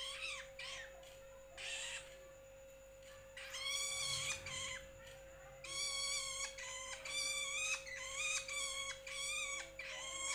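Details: Juvenile long-tailed shrike, locally called toed, cendet or bentet, giving harsh, nasal, drawn-out calls rich in overtones, some long and some clipped, repeated in quick bursts over a steady electrical hum.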